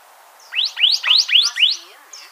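Canyon Towhee song: five sharp, bright chip notes, each sweeping up then down, delivered at about three per second in a quick series.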